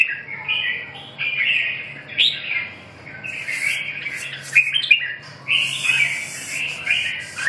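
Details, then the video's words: Red-whiskered bulbul (chào mào) repeating short, bubbly whistled phrases, with occasional harsh squawky notes and hissing noise between. "chim Chào mào"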